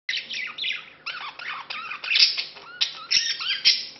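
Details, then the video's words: Pet budgerigars during courtship and mating, the male courting a female he met two months earlier; dense, scratchy warbling chatter with squeaky notes and quick chirps, running almost continuously. "Corteggiamento e accoppiamento cocorite"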